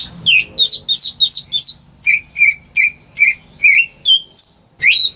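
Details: Home-reared greater green leafbird singing for luring silent birds: quick descending whistles at the start, then a steady series of flat, slightly falling whistled notes, ending with a high thin note and a rising whistle.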